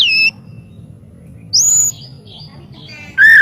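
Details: Master training audio of a white-rumped shama: three separate loud phrases, a downslurred whistle, a high clear rising note, then a lower buzzy held note, with gaps of over a second between them.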